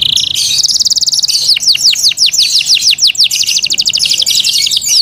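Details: Yorkshire canary in care, singing continuously: a buzzy opening note, a quick trill, then a run of sharply falling whistles, followed by another rapid rolling trill.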